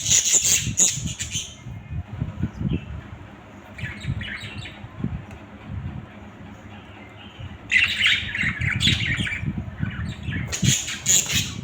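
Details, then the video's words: Playful pet budgerigars making bursts of high, scratchy chirps and chatter, with a quieter stretch in the middle and low background rumble throughout. "Budgies ki masti"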